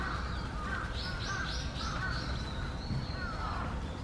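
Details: Angry night heron calls from Sanpoji Pond: a run of four quick, rising, rasping squawks followed by longer hoarse croaks, with heavy low-pitched ambient rumble underneath.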